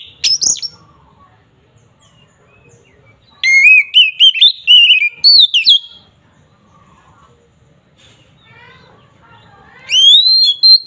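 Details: Agitated ngeplong song of an Oriental magpie-robin, used to rile rival birds: a sharp note, a long gap, then a dense burst of bright sliding whistles, silence again, and a final rising whistled phrase.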